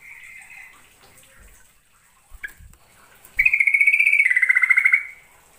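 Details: Yellow-vented bulbul, East Javan trucukan, in lure recording: faint notes and clicks, then a loud fast trill of about twenty sharp repeated notes that steps down slightly midway before stopping.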